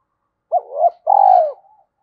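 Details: Spotted dove giving its gù coo, a recording for drawing decoy birds: a short two-part hooting note, then a longer, fuller coo that slurs downward at the end, all at low mid pitch in a quiet setting.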